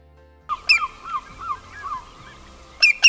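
Common Greenshank giving a run of short, fluty, slightly down-slurred notes about every half second over a steady tone, with a few sharp bursts at the end.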